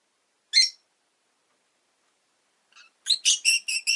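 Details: Pet rosy-faced lovebirds, five kept together in a cage near a window, give a single shrill chirp, then a quick run of about six rasping chirps.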